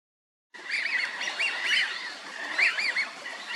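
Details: Eurasian wigeon at Junsai-ike Ryokuchi park in Chiba, Japan, November 2023, winter visitors: a series of whistled, wavering notes rising and falling, several in quick succession, with soft background noise.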